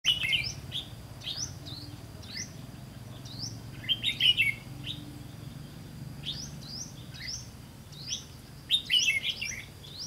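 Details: Red-whiskered bulbul decoy bird used for trapping, recorded 18 September 2016: short bright whistled phrases with rising and falling notes, given in bursts every second or two, with louder clustered outbursts near four and nine seconds over low background rumble.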